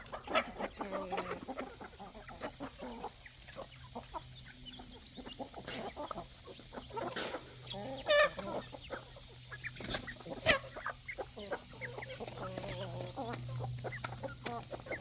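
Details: Farm chickens, roosters and chicks gathered for evening food; scattered soft clucks and occasional louder squawks over pecking clicks and a steady low hum, with the flock growing noisier toward the end.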